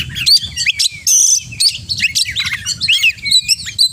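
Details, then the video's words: Kacer, the oriental magpie-robin, pouring out rich varied song with borrowed notes: quick high whistles, clipped chirps, brief buzzy bursts and rising slurs in short energetic bursts, faint low hum underneath. "Kacer Gacor Full Isian"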